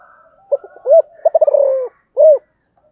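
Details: Spotted dove cooing: a short stutter, a rounded coo, a rapid run of notes blurring into a long falling purr, then a final rounded coo, low and mellow, clean background.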